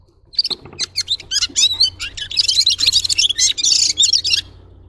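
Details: Red-fronted serin song starts with separate sharp chips, then speeds into a busy high twittering run over a low background hum.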